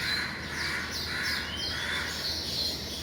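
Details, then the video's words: Weaver birds in the morning, flying in and out of their nests, make a steady, dense chorus of high, sharp chirps and short twittering notes that overlap without pause, with a lower band of harsher chatter beneath. "Listen to & see the weaver birds chirp and coming in and out of their nests in the morning"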